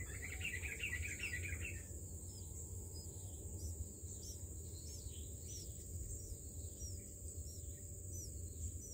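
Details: Albino bulbul at its nest while feeding young: a dense, buzzy chattering burst fills the first two seconds, then only faint high chirps remain over a steady high insect-like hiss and low rumbling background.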